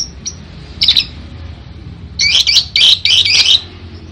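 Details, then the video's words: Lovebird giving harsh, high chattering bursts: one short burst, then a quick run of five scratchy notes in close succession over a faint low hum. "Burung love bird ngekek panjang banget 3 menit"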